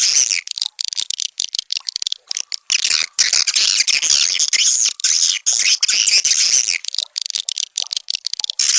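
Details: Swiftlet call played to attract swiftlets into a nesting house, the Sandro call: dense high buzzy chirping and rapid clicks in irregular bursts, nearly continuous.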